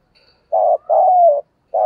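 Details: Spotted dove call used to lure and stimulate other doves into cooing: three low, smooth coo notes, a short one, a longer slightly falling one, then a third starting after a pause, in a quiet setting.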